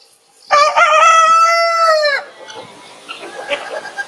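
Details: Rooster crowing in the morning: one loud, harmonic crow of about 1.7 seconds with a stuttered start, a long level middle and a falling end, followed by faint background clucks and rustling.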